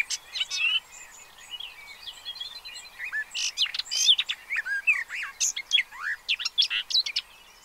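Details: Pied avocets with chicks recorded from a bird observatory in the Séné Nature Reserve, Gulf of Morbihan, France, 30 April 2023: quieter scattered notes building into busy overlapping high sharp calls and downslurred whistles.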